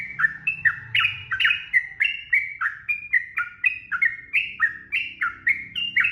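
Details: Continuous ropel-style singing of a yellow-vented bulbul, a steady chain of bubbly, slurred whistles, each dropping in pitch, repeated roughly twice a second with no pause. Faint low hum beneath.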